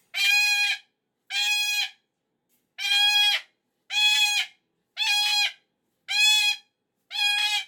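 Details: Pet cockatoo having a Monday morning meltdown, unhappy the weekend has ended: seven loud, harsh, drawn-out screams of equal length, each roughly half a second, repeated about every second and a quarter.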